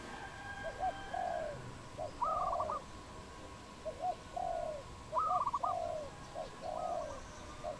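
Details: Wild dove in Cambodia, recorded 22 April 2020: low, soft cooing phrases of short notes and longer purring coos, repeated in two bouts. Higher wavering whistled notes from another bird overlap each bout.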